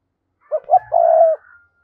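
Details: Decoy spotted dove calling to lure wild doves: two quick soft notes followed by one long, level, mellow coo.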